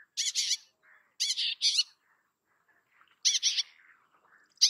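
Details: Bay-backed shrike giving harsh squawking bursts in groups of two or three, interspersed with faint soft chattering notes.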